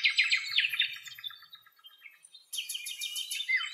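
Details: Nightingale in Greece delivering a short burst of song: a fast rattling trill that fades, a brief pause, then a high, rapid pulsed trill ending in a downward whistle.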